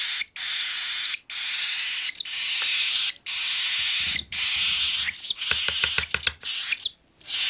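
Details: Hand-fed cockatiel chick, three weeks old, gives long harsh hissing rasps, each lasting about a second with brief pauses. Toward the end they break into short rapid bursts mixed with faint low knocking and clicking handling noises.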